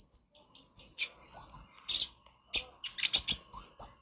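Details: Brown-throated sunbird (konin) in full, chattering song for use as a master recording to train birds: rapid, very high thin chirps and short sweeping notes, some doubled, in quick irregular bursts with brief gaps.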